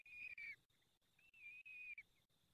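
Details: Peregrine falcon at its nest during the fifth feeding, Barycz Valley, Poland, 23 April 2020 at 19:28: two drawn-out, slightly wavering high whistled calls, the second longer, against faint background hiss.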